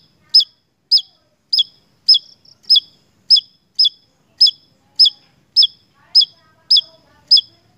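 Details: Lively Javan tesia song for a lure recording: evenly spaced, sharp high notes with a short downward slur, about one every 0.6 seconds, with faint low murmurs in the background.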